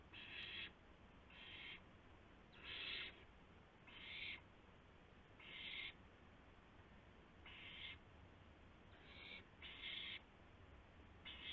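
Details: Owl during a gopher delivery with flap and pounce, 12:25 AM, April 7, 2016; hoarse hissing screeches about half a second long, coming every one to two seconds, fairly even in loudness, over a low steady hum.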